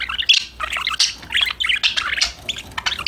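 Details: Pet budgerigars chirping, singing and talking to each other while playing: dense, quick bursts of bright, warbling chirps and twittery notes, several overlapping, with barely a pause across three seconds.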